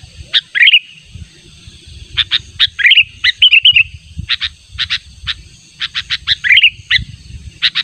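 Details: Lure recording of a Sooty-headed bulbul calling persistently to challenge a rival: crisp clipped chirps mixed with brief bubbling, warbled phrases that dip in pitch, delivered in irregular bursts over a soft low background hum.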